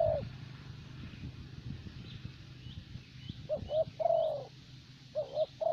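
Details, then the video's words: Decoy spotted dove in Vietnam, of the type favoured for its steady, mellow calling. After a quiet stretch with faint distant chirps, a double coo and a long level-then-falling croon sound, followed by another short double coo. "Terkurkur លេងបានល្អបំផុតនៅវៀតណាម។"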